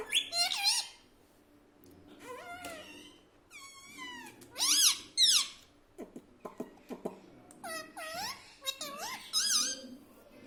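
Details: Pet parrot trained to talk, said to say "mummy" and "papa", delivers bursts of sharp, squeaky, pitch-bending syllables with some quick clicky notes in between, spread across the recording with quiet gaps.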